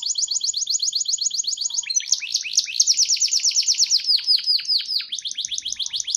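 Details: Canary from Petarukan, Pemalang, Central Java, pouring out a long, rapid trill of evenly repeated high notes that shifts into slower, descending swept chirps, then resumes quick high rolls; faint low thumps beneath.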